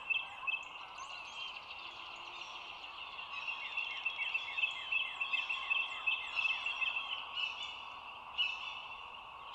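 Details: Bald eagle filmed by the Dulles Greenway nest camera from overhead, 25 March 2022 at 07:16; long run of rapid, descending high squeaky notes in the middle, a brief burst near the end, over constant hiss and distant small-bird twitters.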